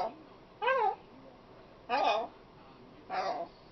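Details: Three rasping, harmonic, word-like phrases from a talking female pet macaw, spaced roughly every one and a quarter seconds, each rising and falling in pitch, with a faint indoor background.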